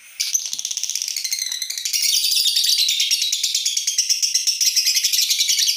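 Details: Lovebird delivering its long ngekek trill, practised before a contest to build breathing for a longer trill: a dense, continuous rattling chatter of rapid high notes lasting nearly six seconds, growing louder and fuller after two seconds.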